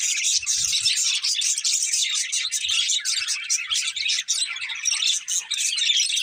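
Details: Colourful budgerigars of a breeding pair chattering without break, a busy, high, scratchy warble of overlapping chirps and squeaks, with faint low knocks.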